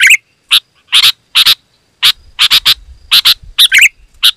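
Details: Loud sooty-headed bulbul song played to attract wild birds: clipped, buzzy chirps singly and in pairs, short silent gaps between, ending with a quick warbled note.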